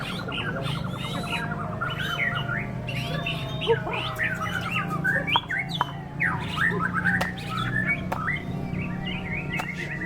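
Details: Competing white-rumped shama in gusty wind: an opening rapid rattle, then an energetic stream of short whistled and squeaky notes, dense and varied, with a steady wind hum below.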